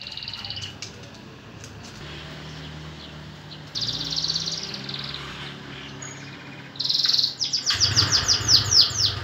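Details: Caged canary offered with its cage, singing: a brief burst of high twittering near four seconds, then rapid repeated high trilled notes toward the end, over a steady low hum.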